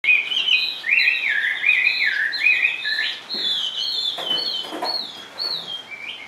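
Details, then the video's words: Caged Chinese hwamei, a large sleek bird that sings in any setting while clinging to its perch, gives a run of loud, clear whistled phrases that slide up and down, with fast looping notes and brief trills. "HM 454 chơi mọi địa hình bộ to đẹp mướt sách lồng hót bệt dính cầu"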